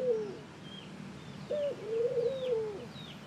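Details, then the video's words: Ring-necked dove call: the tail of one coo, then a sharp short note leading into a long, smooth, level coo, with soft high bird chirps in the distance. "Ring neck Dove Calling"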